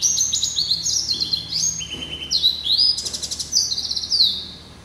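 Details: Yelloweye and Timbrado cross-bred finch, hatched November 2012, sings a varied high song mixing clear sustained whistles with buzzy rattling trills and quick rolling notes.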